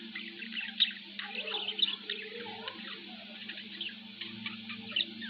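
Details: Household pet budgerigar chattering quietly: a busy stream of scratchy twitters and brief squeaky notes with a few brighter chirps standing out, backed by a constant low hum.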